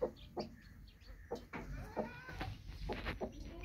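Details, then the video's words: Broody hen with newly hatched baby chicks: a few low, soft clucks spaced through the moment, with faint high chick peeps above and quiet background hum. "Broody Hen With New Hatched Cute Baby Chicks Baby Chicks Sounds"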